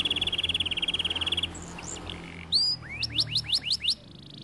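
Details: Canary singing in the kenari gacor style: a fast, even high trill for about a second and a half, a brief quieter pause, then a run of quick rising whistled sweeps repeated about five times.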